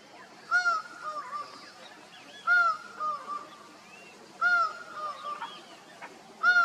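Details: Laughing falcon in Costa Rica calling to others: loud, nasal two-part calls, a strong ringing note followed by lower softer ones, repeated about every two seconds over faint background hiss.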